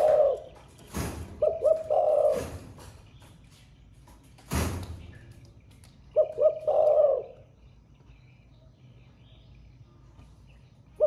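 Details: A caged spotted dove sings in the thổ pha voice, a bird said to coo all day. Low phrases of paired short hoots lead into a rolling coo, spaced by several seconds of quiet. Loud knocks or cage bangs come in between.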